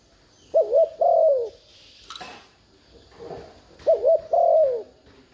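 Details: Decoy spotted dove in 'thúc gù' provoking cooing to draw in wild doves: two mellow phrases, each a short wavering double note then a drawn-out descending coo, separated by a quiet gap with a brief click.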